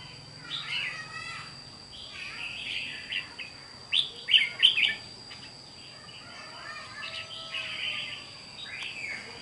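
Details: Wild-caught red-whiskered bulbul in captivity, 8 June 2023, delivering slurred, chattering warbles, building to three loud clear whistled notes around four to five seconds, then softer phrases; a thin steady tone runs throughout.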